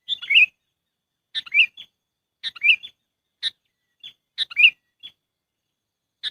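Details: Sooty-headed bulbul lure call for trapping: a series of bubbly chirped phrases and single sharp notes, about one per second, each phrase a clipped note sliding into a rolling warble.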